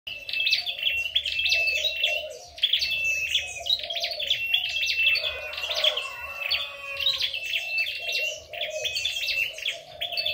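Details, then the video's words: Red-headed flowerpecker singing in a contest: rapid high twittering bursts over a thin steady whistle, phrases repeated roughly every second, with a softer lower warbling underneath and faint low hum. "chim sâu đầu đỏ hót đấu"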